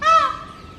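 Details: ['A single loud, nasal, ringing scream from a male peacock in breeding season, calling from a rooftop territory to draw females; the note bursts out, then fades into a long, level tail.']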